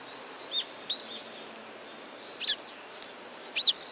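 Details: Sparrows at a Tenmangu shrine, recorded 15 November 2016: scattered short, high chirps, a single note, a pair, then a double chirp near the end, over a steady low background hiss.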